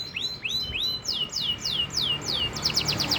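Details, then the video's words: Long-duration canary master song, original voice: repeated clear swooping whistles that drop in pitch, several per second, ending in a fast run of bright high notes. "Masteran kenari panjang suara asli kenari original tanpa isian"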